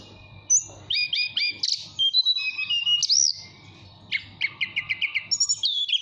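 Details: Caged mountain tailorbird from Purworejo, Central Java, singing in a relaxed flute-like style while calling a female: high thin whistles, quick descending chirp series and rapid repeated trilled notes over a faint low hum.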